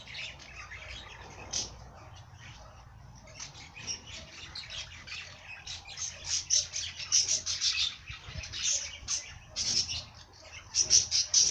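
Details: Bird song of dense, high chattering notes that grows louder and busier toward the end, with a low background hum underneath.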